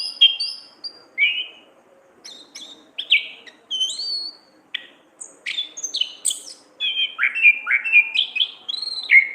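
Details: Caged orange-headed thrush in lively full song used for training: spaced whistled and sharp notes, then faster runs of rising and falling slurs toward the end, bright and varied throughout.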